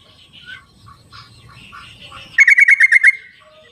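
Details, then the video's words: Wild sooty-headed bulbul, recorded to lure caged birds that will not sing: soft scattered chirps, then a loud fast burst of about seven bubbly, even notes over roughly a second, with other faint birds behind. "suara trucuk di alam liarnya buat panggilan trucuk yang tidak mau bunyi"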